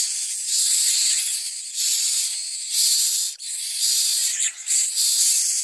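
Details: At a Common myna nest, with adults delivering nestlings for their young to eat, comes a steady stream of loud hissing rasps that swell and fade in waves about a second apart.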